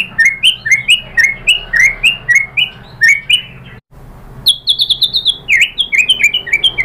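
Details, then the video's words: White-rumped shama song played to provoke other birds into singing: rapid chains of whistled upslurred notes, a brief silence, then a higher, faster burst of sharp whistles and chips. "PANCINGAN MURAI BATU bikin NYAUT BUNYI GACOR NGEPLONG BONGKAR ISIAN"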